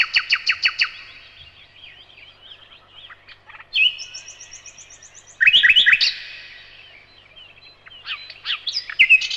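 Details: Common nightingale singing in the evening, opening with quick sharp repeated notes, then soft warbling, a high thin trill, and a loud burst of rapid clipped notes before a final varied flourish.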